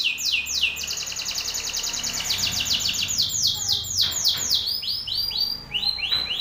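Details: Male Belgian canary singing forcefully in the face of a rival male: long runs of quick repeated arched whistled notes, several per second, shifting between phrases with brief rolling trills.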